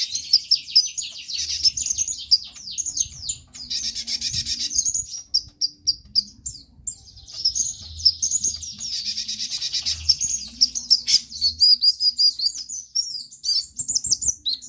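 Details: Energetic sunbird singing, used as a lure to prompt other sunbirds to sing: high, thin twittering with fast chirps and dense trilled bursts, a continuous busy stream with short pauses.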